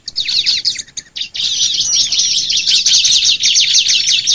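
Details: Bar-winged prinia lure song for stimulating other prinias: a few separate chirps, then a loud, continuous wash of high buzzy twittering overlaid with repeated high whistled slurs.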